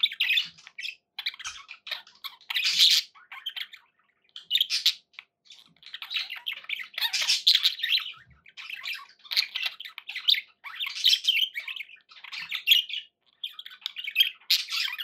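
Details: Caged pet budgerigars keep up a long run of harsh squawks and grating warbled chatter, bursts swelling and fading every second or two with only brief gaps, indoors.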